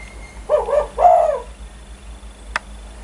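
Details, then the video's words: Spotted dove said to get other birds calling: a single two-note coo, a short wavering note then a louder sustained one, followed by a sharp click amid low hum. "Burung tekukur gacor idaman kuk 1 bikin geger burung lain ikutan bunyi"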